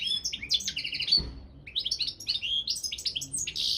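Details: Competition goldfinch, Carduelis carduelis balcanica, singing for a world championship held online: quick liquid twitters and short rattling trills, a gap near the middle, then a dense run of chattering notes; a faint low thump sounds once.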